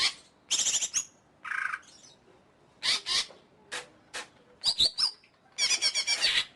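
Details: Greater green leafbird song made of bursts of harsh, buzzy, high-pitched notes mixed with short whistles and rapid chattering trills, delivered in separate phrases with brief pauses between them, over a quiet background.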